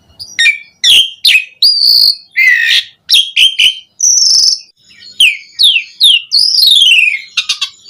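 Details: Javan pied starling song meant to coax other starlings into singing: a varied sequence of sharp chirps, buzzy notes and long drawn-out whistles, some gliding downward.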